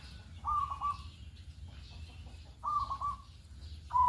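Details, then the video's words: Zebra dove of local stock calling in the morning as a lure for others: two clear trilled coos about two seconds apart, then the start of a third, with faint high chirps between. "pancingan perkutut pagi hari Di jamin ikut bunyi"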